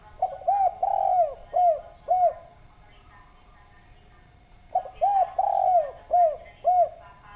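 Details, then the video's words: Spotted dove calling clearly, used as a lure to prompt other doves to call: two bursts of mellow, arched coos, each a quick stutter of notes followed by a long, swelling coo and two shorter coos, separated by a quiet pause. "Derkuku Gacor Suara Bening, Cocok Buat Pancingan"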